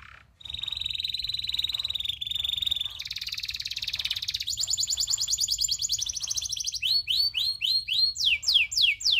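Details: Local canary tutor song, long and lively: continuous rapid rolling trills changing pitch in several sections, ending with repeated sweeping descending notes at a steady rhythm.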